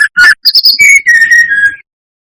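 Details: A brown-chested jungle flycatcher sings as a rival-provoking lure. Buzzy opening notes give way to high whistles, then a long run of lower, level whistled notes that fade slightly toward the end.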